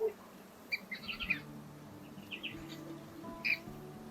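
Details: Pair of Rainbow Bee-eaters at a waterhole in arid outback near Burra, South Australia, in the midday heat (about 36–37°C) of the warmer breeding season, giving short, bright, high chirps in loose clusters of two or three over a soft low hum.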